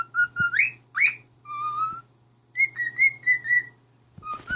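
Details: Pet cockatiel, a male, singing to his unimpressed mate indoors: a series of clear tonal whistles, some steady and some sharply rising, in short phrases with pauses, ending in a quick run of upslurred notes and a faint low hum.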